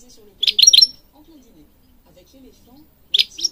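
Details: European goldfinch recorded for training birds: a brief cluster of three or four twittered notes, then quiet, then another short burst at the end.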